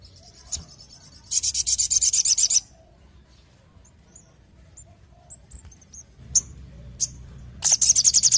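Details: Orange-headed thrush in full active song, delivering rapid-fire 'tembakan' bursts: two loud, dense high rattles of fast repeated notes, each over a second long, separated by scattered short thin chirps and a low background hum.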